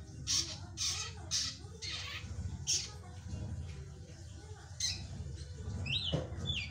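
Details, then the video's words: Young drongo singing vigorously, kept as a prospective contest champion: harsh, buzzy squawks repeated about every half second, then a gap and a few rising whistled notes near the end, over a steady low hum. "Kicauan Gacor Srigunting Anakan"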